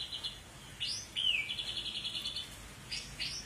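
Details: Long-tailed white-rumped shama, Medan type, producing a high, rapid, even trill with upward-sweeping whistles at the start and end, heard faintly over background hiss.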